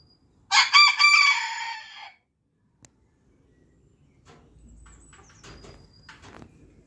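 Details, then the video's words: Booted bantam rooster crowing: one loud harmonic crow of about a second and a half, broken into short rising notes then a long held ending, followed by quiet shuffling and faint background noises. "Booted bantam rooster crowing"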